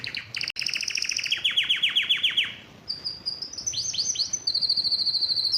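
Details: Aroused canary singing, eager to mate: a rapid high trill drops into a run of lower, evenly spaced down-slurred notes, then turns into a bright buzzy high roll with sweeping notes.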